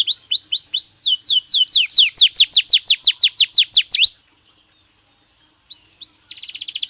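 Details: Belgian canary song for training: rising chirps followed by a quick run of loud descending whistled sweeps for four seconds, a pause of near silence, then fresh chirps and a fast buzzy trill.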